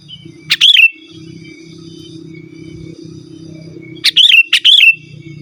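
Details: Lively sooty-headed bulbul song, meant to lure wild birds in forest and tutor caged birds: one short bubbly whistled phrase, then a pause over a steady low hum, then two more phrases close together.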